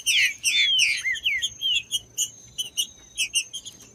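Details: Green-winged saltator song meant to warm up a caged bird: loud looping, warbled whistles at the start, fading into spaced short chirps and a thin sustained high tone.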